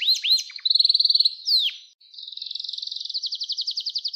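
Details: Canary song recorded for training young canaries to sing: a few high swooping whistles, then fast buzzy trills of repeated notes, a brief pause, and a long rapid rolling trill that speeds up toward the end.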